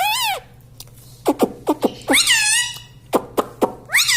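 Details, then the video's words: Talking parrot mimicking words: rapid, loud, harmonic syllables, some clipped and some drawn out with wavering pitch, in quick speech-like bursts, over a low steady hum. "Tota Tota mitthu mitthu - Bolne wala tota - tota talk - mummy bolne wala mitthu - talking parrot"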